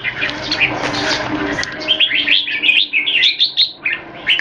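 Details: Caged red-whiskered bulbuls kept in Singapore, several birds sung against each other, one in molt; after a broad rushing noise, short bright warbled phrases rise and fall in quick, varied bursts.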